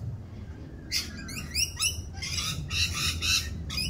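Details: Raucous mating-season rainbow lorikeets, seen doing their mating dance, produce scattered harsh high squawks at first, building into a cluster of rasping, overlapping screeches over low background rumble.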